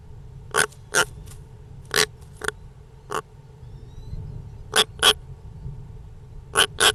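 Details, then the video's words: European rollers give harsh, rasping 'rak' notes, often in quick pairs, about nine over seven seconds, over a low steady hum. "European Rollers - The weird sound of this beautiful birds"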